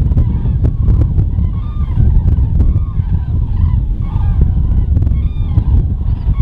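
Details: Large flock of common cranes (Grus grus) gathering in autumn at a raised bog near Diepholz, Germany, before migrating south, early morning: many loud, rolling bugling calls overlapping steadily, over a heavy low rumble of wind.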